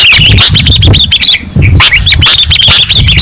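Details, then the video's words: Lure recording of a sooty-headed bulbul: lively chirped and whistled phrases, briefly pausing midway before resuming with quick warbling notes, backed by a low droning rumble. "Pikat Suara Burung Kutilang"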